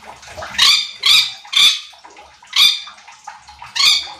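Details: Cucak cungkok bulbul song used as a training recording to provoke other competition birds: loud, rich bubbly phrases, about five bursts roughly half a second apart, each a burry descending warble, with faint low thumps.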